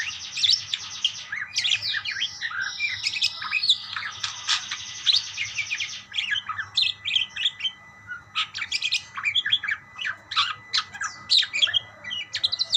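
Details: Budgies chattering together, opening with buzzy rasping warbles and then breaking into sharp scattered chirps and squeaks in quick bursts, over a faint steady hum.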